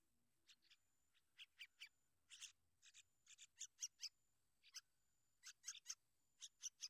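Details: Sooty-headed bulbul protecting and tending its young: irregular clusters of two or three sharp, buzzy rasping notes separated by short gaps, in a quiet setting.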